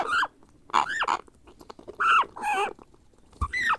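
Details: Grey parrot hatchling begging during hand-feeding: loud, whining squawks with clearly bending pitch, rising and dropping within each call, about one every half second, with a brief knock near the end.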